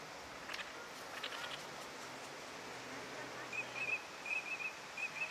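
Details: Eurasian teal, a winter visitor, on a park pond in Chiba, Japan, in March 2025, giving short, clear piping whistles in quick bursts of two or three, over a steady background hiss with a few fainter earlier calls.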